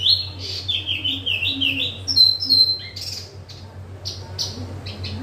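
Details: Energetic song of a small caged yellow-vented bulbul, quick descending whistled notes and sharp chirps in a fast stream, with a low steady hum.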